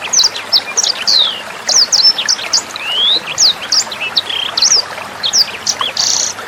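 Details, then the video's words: Tutor recording of a sanger bird for training young sangers and other songbirds: fast, high chirps and long rising whistles pour out in bursts, ending on a brief harsh buzz, with trickling water in the background. "SUARA MASTERAN BURUNG SANGER NEMBAK JERNIH + GEMERCIK AIR"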